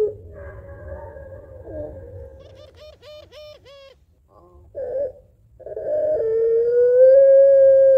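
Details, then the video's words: Barbary dove (puter pelung) calling to its mate, a long crying-and-laughing style call used as a lure: soft low coos, then a short run of quick chuckling notes, ending in a loud, long, slowly rising tone. "SUARA PANJANG PUTER PELUNG GACOR MENANGIS TERTAWA MEMANGGIL PASANGANNYA"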